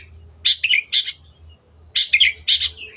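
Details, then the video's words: Long-tailed shrike (cendet) singing for a masteran training recording: paired harsh, grating rasps in two clusters about a second apart, each burst rough and buzzy, over a low background hum. "MASTERAN BURUNG CENDET GACOR"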